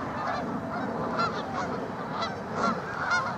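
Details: Tundra swans in a mixed flock with geese and ducks at Ninth Line, Mississauga, Ontario, in March 2013: rapid, irregular hooting honks layered over a noisy crowd murmur, with a few clearer nasal notes standing out.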